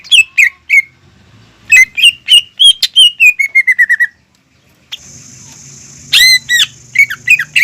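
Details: A greater green leafbird sings to provoke a learning bird: busy whistled phrases ending in a descending trill of quick notes, then a steady high hum with more sharp chirps over it.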